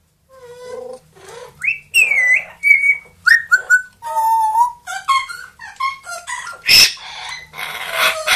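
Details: A caged-home pair of talking parrots, a grey parrot aged two and an Amazon aged one, singing and imitating sounds: a varied string of whistled, rising and falling notes and harmonic chatter, broken by one loud harsh burst near the end.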